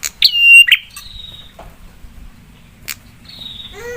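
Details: Prinia singing to provoke rival prinias to answer angrily: a single phrase of a sharp note into a held high whistle and a rough buzzy end, followed by faint thin calls and quiet background.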